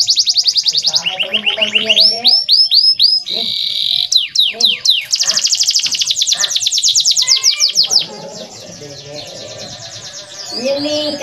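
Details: Male canary in clear, vigorous song, played to tutor young canaries so they start singing sooner. Rapid high whistled trills and sweeping rolls run about four notes per second with buzzy bursts, then fade after eight seconds into quieter, lower tones.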